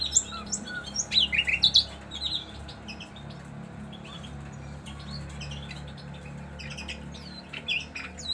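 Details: A common nightingale at a songbird market gives a quick burst of sharp, varied chirps and squawky notes, then scattered high phrases over a steady low indoor hum.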